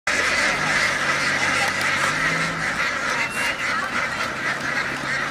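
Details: A flock of laying ducks in Vietnam running across a field and down onto a boat; a dense, continuous chorus of overlapping raspy quacks and honks with no clear gaps, rough and noisy throughout.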